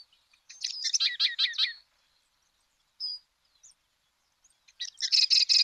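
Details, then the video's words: In Argentina, a Sedge Wren gives a dense, harsh, high-pitched rattle about a second long, then a lone thin whistle-like note after a pause. The song ends with a fresh buzzy chatter. "Ratona aperdizada"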